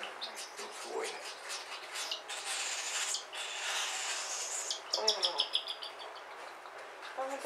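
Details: Cockatiel chick being hand-fed indoors, giving raspy, hissing begging bursts mixed with quick high chirps, then a run of sharp repeated harmonic peeps near the end, with a faint human voice in the background.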